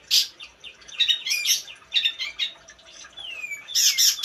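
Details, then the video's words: Long-tailed shrike song of harsh scratchy bursts and squeaky notes mixed with short rising whistles, a long descending whistle near the middle, ending in a loud dense burst. "Yu gacor yukk"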